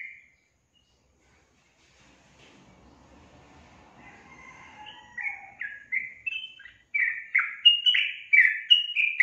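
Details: Yellow-vented bulbul song builds from near silence and faint low rustling into a fast, loud series of chirpy, slurred whistles in the second half.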